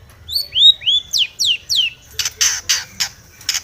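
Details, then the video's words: Long-tailed shrike singing aggressively as if seeking a rival, its song full of mimicked phrases: clear rising and falling whistled slurs at first, then a fast run of harsh, buzzy broadband notes, about four per second. "cendet gacor MENCARI LAWAN"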